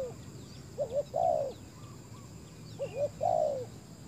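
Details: Spotted dove used as a decoy to lure wild doves, two short phrases of soft low coos, a couple of brief notes leading into a longer one, with faint thin bird calls in the background.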